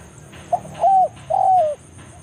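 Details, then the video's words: Forest spotted dove (terkukur) in BANGGO style, a lure call meant to summon rivals: one short clipped note, then two long, full coos, the last sagging at its end, with a thin high steady hum behind. "cara pikat BANGGO full memanggil lawan di hutan"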